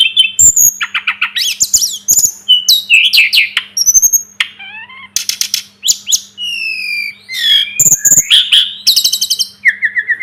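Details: Sunda robin, called tledekan gunung or sulingan gunung, singing a long varied phrase in a tutor recording for training birds: rapid chattering bursts, pure high whistles and buzzy slurred notes mixed in quick succession, with a low steady hum.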